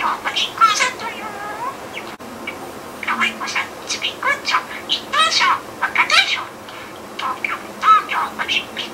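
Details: Pet budgerigar talking, freely rearranging learned words into invented phrases, reusing lines such as 'Brazilian person' and 'Tokyo Olympics': rapid chattering, speech-like syllables in bursts, scratchy and nasal, with short pauses between phrases.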